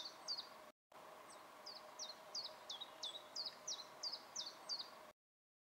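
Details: Common chiffchaff song recorded 8 May 2017: a steady string of high, sharp notes alternating up and down in pitch, about two or three per second, over a low background hum.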